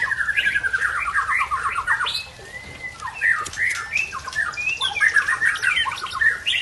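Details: Tangse-origin white-rumped shama from Aceh showing its learned repertoire: a rapid series of down-slurred notes, then varied harsh and whistled phrases with squawky notes, delivered fast and packed with shifting sounds.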